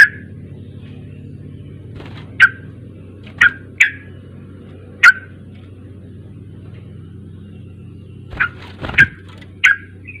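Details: Sooty-headed bulbul lure recording meant to coax a young bird into singing: short, bright chirping notes scattered across ten seconds, some in quick pairs, over a steady low electrical hum.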